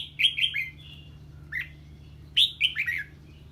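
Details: Red-whiskered bulbul answering the call of an unfamiliar bird with two lively bursts of whistled, downward-sliding notes separated by a brief softer note, over low background hum.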